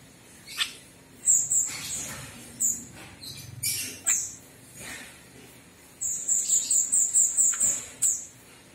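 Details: Javan myna giving high, thin squeaky chirps mixed with short harsh rasping bursts, then a quick run of about eight sharp, evenly spaced piping notes near the end, with a final chirp; quiet background.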